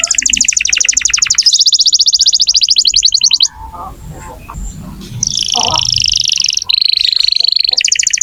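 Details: Canary song used to get young or stalled canaries singing: long rapid rolls of repeated notes at high pitch, a brief quiet gap with low murmuring, then further buzzy tours at changing pitches.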